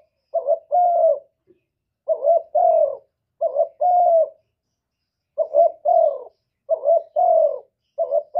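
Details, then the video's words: A spotted dove calls in the 'một hậu ròng' style with low paired coos, a clipped note and then a longer smooth falling note, given in uneven bursts with short pauses. The background is quiet. "cu gáy gọi một hậu ròng"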